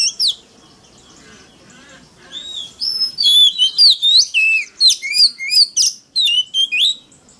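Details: Oriental magpie-robin singing a very loud forest-style song from a lure recording used to provoke rivals into counter-singing. After a faint start, rich whistled phrases with sweeping and falling notes come rapidly in loud bursts.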